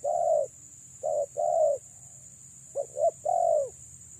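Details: A female spotted dove coos to attract males: mellow low notes, two or three in a phrase, then a pause and a phrase starting with quick clipped notes before a longer falling coo, over a continuous high-pitched hum.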